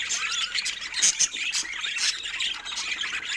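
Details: Playing budgies give a loud, scratchy mass of high chirps and squawks, a couple of sharper squeaks standing out around one second in.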